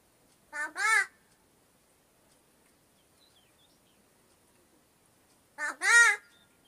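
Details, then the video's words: Kalu, a talking crow that mimics human words such as "baba" and "papa", gives two hoarse, voice-like two-syllable utterances, such as "ba-ba", about five seconds apart, with quiet between them. "माणसासारखा बोलणारा कावळा"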